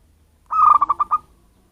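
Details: Wild-origin local zebra dove, not captive-bred, giving a lure call used to attract birds: a single short phrase of about six rapid, mellow cooing pulses at an even pitch, with a quiet background.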